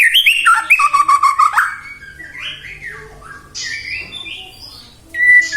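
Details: White-rumped shama song to provoke other shamas: a fast ringing trill at the start, then softer varied warbles and higher scratchy notes, closing with a sharp whistle.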